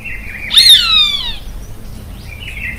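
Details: A Roadside Hawk, found across Brazil and known to call while flying, gives a single shrill, nasal scream that slides downward over almost a second. A faint thin tone is heard before and after.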